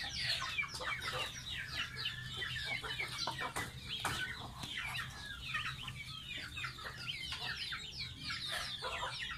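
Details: Pet baby goose at bath time, with nearly nonstop high-pitched peeps sliding down in pitch, packed closely together, plus occasional sharp knocks and splashes.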